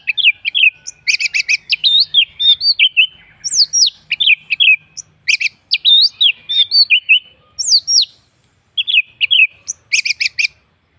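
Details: Orange-headed thrush song played to prompt other birds into singing: a continuous, varied stream of sharp chirps, looping whistled notes and quick double notes, delivered loudly with few pauses.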